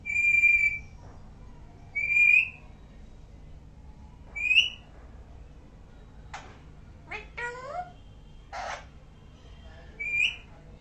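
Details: Parrot whistling indoors: clear high whistled notes repeated about every two seconds, interrupted midway by harsh rasps and a bent, nasal cry, then one more whistle to close.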